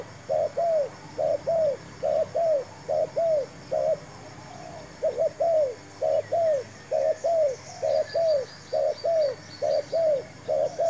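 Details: Decoy spotted dove cooing during a trapping attempt using a new bird and a new trap; long series of paired coos, short then drawn-out and falling, briefly pausing midway, with faint high bird chirps near the end.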